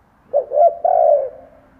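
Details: Spotted dove kept as a lure bird, cooing: one low phrase of a short note, a slightly longer one, then a drawn-out coo fading away.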